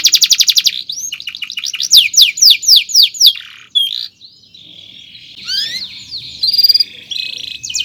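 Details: Long chirping canary song used to train young canaries: a fast buzzy trill, a string of loud sweeping chirps repeated about three per second, then softer twittering, a buzzy roll and quick rising notes.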